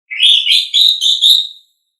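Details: Asian pied starling song, a pet bird, used as a training recording for caged songbirds: a short run of four loud, harsh whistled notes, each slightly descending, in a connected phrase.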